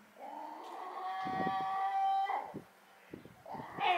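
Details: Wild gull at a harbor on Rügen, screaming loudly while another bird follows it closely: a drawn-out, nasal, tonal wail that holds steady for about a second and then breaks off, followed by a rising squeal, with background noise.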